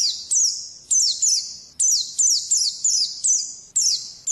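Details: Oriental white-eye ngalas song heard as a series of loud, high sliding notes, each dropping in pitch and ringing out, following one another every half second or so.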